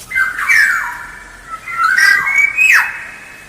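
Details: Black-naped oriole singing vigorously as a lure: rich fluty whistles that rise and fall, mixed with a harsh, nasal downward sweep at the end.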